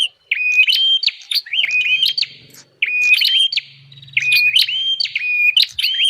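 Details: Lure recording of bar-winged prinia: short clusters of level whistles rising at the ends, separated by pauses, with light clicks and a faint low hum in the background.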